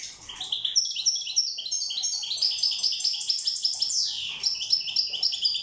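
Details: A Corsican European goldfinch sings a fast, bright stream of tinkling, twittering notes with liquid trills and a brief downward slur, continuous and high-pitched.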